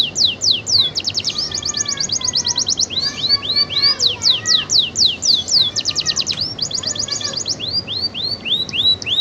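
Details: Atlantic canary in continuous song: rapid high trills of rising sweeping notes, switching between fast rattling tours and slower spaced upslurred whistles, each phrase repeated many times.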